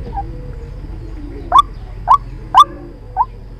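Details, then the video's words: Trapping lure recording of a White-breasted waterhen: after a quiet start, five abrupt rising notes come at slightly uneven intervals, punchy and clipped, with a faint low hum underneath. "Tiếng chim quốc Mồi chuẩn dùng để bẫy"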